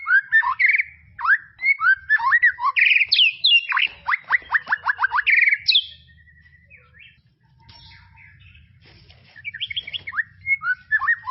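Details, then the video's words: A white-rumped shama in tropical forest pours out a fast series of sweeping whistles and a descending rattle of notes, falls quiet for a few seconds, then resumes with softer chirps. "BEST SUARA KICAUAN MURAI BATU HUTAN TROPIS"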